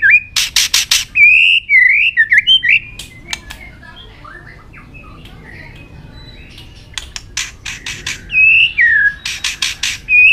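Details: White-rumped shama in full fighting song, tail flicking nonstop: rapid harsh buzzes open into wavering, looping whistles. A soft, subdued passage follows, then loud buzzy bursts and whistles return.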